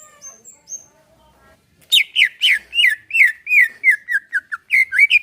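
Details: Greater green leafbird kept in a cage, relaxed song used to get another caged bird singing: soft whistles and faint calls first, then a lively series of loud, slurred, sweeping whistled notes repeated rapidly.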